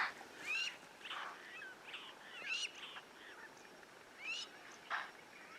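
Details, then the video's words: A crowned lapwing gives alarm calls, loud, strident, shrill notes, some rising, some falling, in irregular bursts of one or two per second, in long grassland on safari. "You can hear even the crowned lapwing giving alarm calls."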